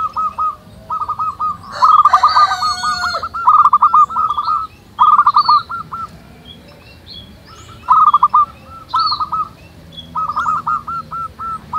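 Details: Many local zebra doves singing out in nature, overlapping bursts of fast staccato cooing notes with brief pauses between, plus a harsher call and scattered high chirps from other birds.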